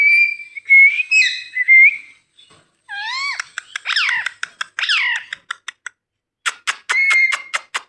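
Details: A talking green rose-ringed parakeet gives high whistles, then a few harsh, speech-like mimicked syllables and a run of quick sharp clicks in an otherwise quiet room.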